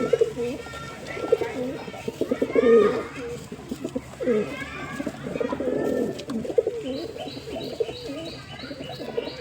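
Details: Several pigeons cooing over one another in a dense, overlapping chorus of low rolling coos, with thin high chirps from other small birds toward the end.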